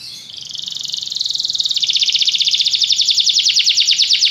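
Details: Canary delivering a long high trill, rapid pulses growing louder and shifting slightly lower partway through, then continuing in an even rhythm.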